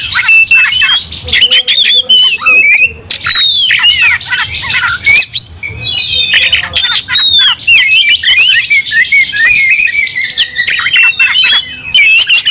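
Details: Aggressive Oriental magpie-robins singing in a fighting state, one bird's agitation spreading to others. Continuous rich outpouring of shrill whistles, upslurred and downslurred notes and scratchy buzzy fragments, packed tightly with no real pauses.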